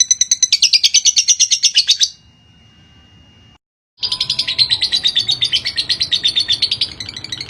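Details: Lovebird singing as a master recording for training birds: rapid buzzy chatter, roughly three notes a second, stopping for about two seconds of near silence before resuming just as fast and dense.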